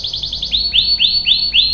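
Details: Canary singing, its long roll used to prompt other canaries into song: quick repeated downward slurs giving way to slower, louder drooping sweeps with tiny high ticks between them.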